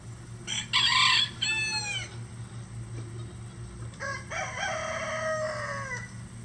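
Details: Two roosters crowing in turn on a farm with at least 20 standard and bantam breed roosters that crow all day: a nearer, brighter crow ending in a falling drawl, then a second, fainter, longer crow about three seconds later.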